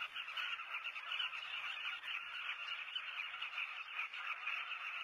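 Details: Southern carmine bee-eaters at a breeding colony in South Luangwa National Park, Zambia, recorded from a hide: a dense, unbroken chorus of many overlapping chattering calls in a steady mid-to-high band.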